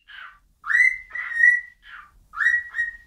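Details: Bird whistling: a few clear notes rise and flatten into steady held tones, with soft breathy lead-in notes and short gaps, in a quiet setting.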